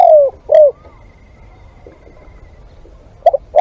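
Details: Decoy spotted dove: a long falling coo and a short hoot, then a gap with faint distant coos before two quick notes begin the next phrase.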